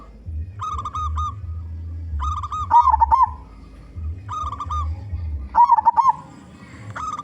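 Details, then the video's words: Big-voiced local zebra dove calling as a lure for its own kind: short bursts of clipped hoots alternate with rippling, warbled coos, roughly every one and a half seconds, with a low hum underneath. "Perkutut Lokal Gacor Suara Besar (💯%AMPUH BANGET) Cocok Untuk Pancingan Semua Jenis Burung Perkutut"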